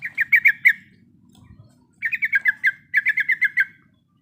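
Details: A female sooty-headed bulbul in breeding condition calls to the male: three short bursts of five or six rapid, bright chirps each, separated by brief pauses, over a low rumbling background hum.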